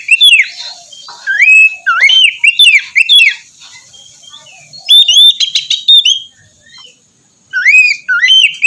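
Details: Shama morning song meant to get a lazy bird singing: repeated bursts of loud slurred whistles and sharp trills, separated by quiet gaps, over a faint constant high hiss.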